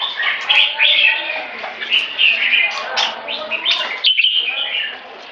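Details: Red-whiskered bulbul, 'one stroke' singing turning to 'keke': a continuous babbling stream of whistled and chattered notes with frequent loud accents, briefly dropping off near the end.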